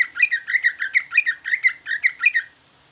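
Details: Greater green leafbird (jumbo ci ijo) with trucukan-like song: ten or so loud, harsh, chattering doubled notes in quick even rhythm over about two and a half seconds.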